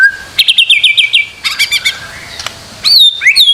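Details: Master recording of a white-rumped shama singing: a rapid series of bright repeated whistled notes, a burst of sharp chips, a quiet pause, then rising and falling looping whistles.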